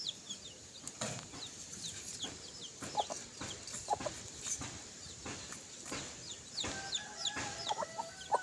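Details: Free-range chicks foraging with their mother hen near the coop before dusk give a steady scatter of high, thin, falling peeps, several a second and overlapping, with soft tapping and scratching.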